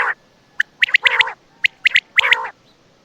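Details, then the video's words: Quail (batair) near Attock at night: quick high chips followed by raspy nasal bursts, in two short bouts. "بٹیر کی آواز راتBatair ke Awaz raat 2024(Quail Sound)"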